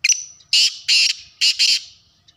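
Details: Harsh, grating call of a black francolin, known locally as kala teetar: a brief opening note with a thin high tone, followed by two loud buzzy bursts and a doubled closing burst.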